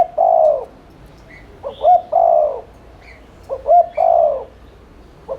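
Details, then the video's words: Spotted dove cooing rapidly in the 'thúc liên thanh' lure style, intended to stir doves into cooing. Repeated low phrases of long coos preceded by two short notes, with soft high chirps between. "Cu gáy THÚC Liên Thanh kích bổi,mồi ức chế nhanh gáy/kích bổi nhanh nổi"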